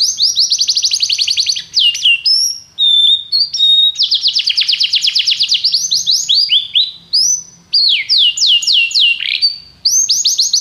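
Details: Long canary song for training other canaries: fast rolling trills, steady whistled notes and repeated downward sweeps, delivered continuously with brief pauses between varied high-pitched phrases.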